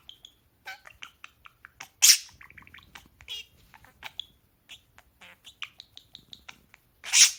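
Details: Two pet talking parakeets chattering: a rapid string of short, sharp chirps and clicks, with a couple of louder harsh squeaks around the second and seventh seconds.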